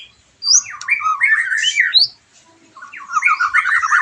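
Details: White-rumped shama singing, used to rouse a caged bird after its moult: rich fluting whistles mixed with scratchy chattering runs, a brief pause, then a fast rolling warble.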